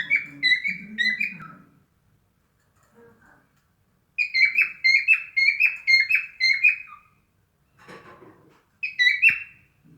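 A cockatiel whistles bright, warbling phrases of quick repeated notes, pausing between bursts.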